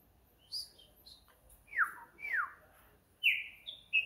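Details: Nocturnal song of a green-winged saltator: soft high notes lead into loud, clear whistles that slur steeply downward, two in a row, then a higher pair of level whistles, in a quiet setting.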